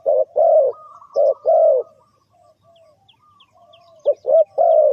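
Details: Short, deep coos followed by longer, falling coos from a spotted dove calling as a lure to trap birds. A few faint high chirps sound in a brief quiet spell.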